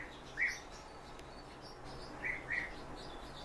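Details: Song Thrush nestlings as their father brings food: one short squeaky chirp, then after a pause two more in quick succession, all at the same middling pitch over a steady hiss.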